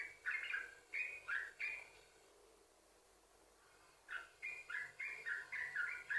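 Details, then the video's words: Yellow-vented bulbul song used to lure other bulbuls into singing: two bursts of bubbly, warbling notes around the mid range, separated by a quiet pause of about two seconds. "Trucukan Gacor, Sambung Ropel,Ini Ampuh Buat Pancingan Trucukan Agar Bunyi"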